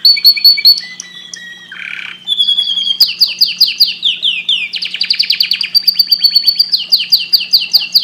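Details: Canary singing to stimulate breeding, opening with steady high whistled notes and a buzzy burst, then repeated downward-sweeping phrases and quick pulsed rolls that change tempo several times.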